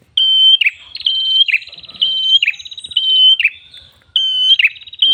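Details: Tailorbird with red crown, singing loudly as a luring and tutoring recording: trilling high whistles and steady whistled notes, each finished by a downward slur, in phrases spaced about a second apart.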